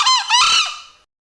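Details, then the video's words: Male green junglefowl gives a single harsh, rasping two-part crow: a brief clipped note, then a longer hoarse note that fades away, all in about one second. "Suara ayam hutan jantan || Green junglefowl"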